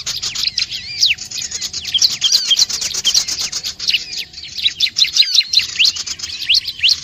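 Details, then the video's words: High, quick chirps and short trilled phrases of bar-winged prinia, used to attract curious birds, coming in bursts with overlapping callers and a short silence near the five-second mark. "suara burung sogon/prinjak/ciblek..jamin langsung kumpul penasaran burung lain nya"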